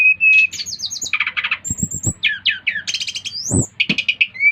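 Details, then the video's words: Brown-chested jungle flycatcher from Bali in vigorous song to set other flycatchers singing. Short, steady whistles alternate with rapid chattering trills and repeated upslurred notes, with a few low thumps. "Kicauan SRDC Bali Gacor memancing Srdc lain ikut gacor"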